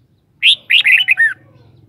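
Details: One crisp song phrase from a caged Red-whiskered bulbul: a loud opening whistle followed by a rapid run of four warbling notes, the final one sliding down.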